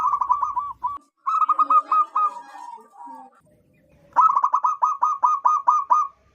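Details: Zebra dove of local wild stock, calling loudly to lure wild birds: rapid ringing coos, a descending warbled phrase that trails off, silence, then a crisp even series of about ten coos.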